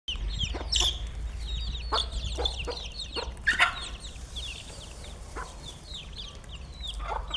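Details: Chickens being fed, giving many short high curved chirps and peeps in a dense overlapping chorus, with scattered sharp broadband clicks and knocks throughout.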